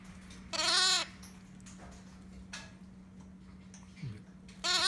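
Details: A Red-shouldered macaw chick being hand-fed gives two loud, harsh, nasal squawks about four seconds apart, with faint shuffling between them over a steady low hum.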